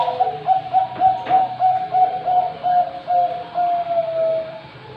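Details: Zebra dove of Bangkok type, a prized contest bird with deep resonant voice, giving a cooing song: a fast run of soft, even, mellow coo notes ending in a longer drawn-out tone, in a small indoor space.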